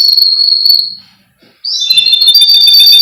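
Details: Male Russian singer canary from a breeder in Miami, Florida, singing a sustained high whistled trill that breaks off, then resumes as a bright, layered rolling warble.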